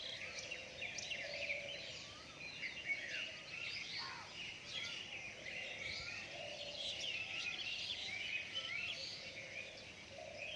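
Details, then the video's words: Several birds singing at dawn after rain, a dense chorus of high chirps and trills, with lower slurred whistles repeating throughout and a steady background hiss. "Dawn time of birds singing after rain"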